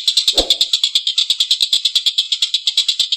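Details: Collared kingfisher giving a long, rough laughing call as a training recording for songbirds: harsh, buzzy notes repeated about three times a second in a steady chatter. A low thump comes early on.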